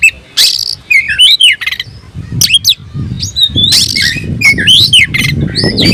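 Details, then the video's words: Caged oriental magpie-robin singing in full voice with its tail fanned, worked up and calling a rival to fight: loud varied whistles, harsh squawks and rapid twittering phrases, with low rumbling background noise throughout. "kicau burung KACER‼️gacor buka ekor dongkrak emosi panggil lawan tarung"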